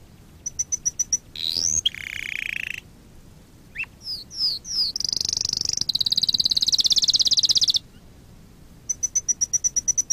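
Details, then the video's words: Canary song for training canaries: pulsed high notes, a buzzy rolling trill, falling whistles, then a long intense very high trill of about two seconds and a closing series of clipped notes. "Kanarya ötüşü- Kanarya dersi-kanarya coşturma"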